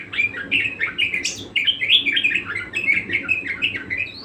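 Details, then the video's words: Budgerigar singing persistently, a continuous chattering warble of quick chirps and short rising and falling notes, with a brief higher squeak near the middle and a faint low hum underneath. "Burung parkit gacor ngotot"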